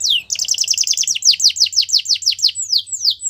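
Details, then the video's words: Belgian canary song meant to make other canaries sing, a quick series of about a dozen sharp descending chirps, steadily repeated, fading into a few slower slurred notes. "Special canaries to seduce all the canaries to make them sing | Belgian canary"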